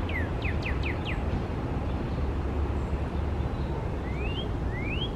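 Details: Whistled song of northern cardinals, female and male, in New York City's Central Park, April 2020: a quick series of four descending slurred whistles, a gap, then two long rising whistles, with distant traffic noise throughout.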